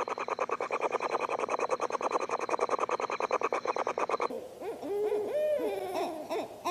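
An owl gives a fast, even trill of rough pulses for about four seconds, then breaks into softer, wavering whines that rise and fall.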